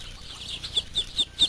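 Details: Muscovy ducklings about two to three days old exploring with their mother, giving high, thin peeps in a regular series about every fifth of a second.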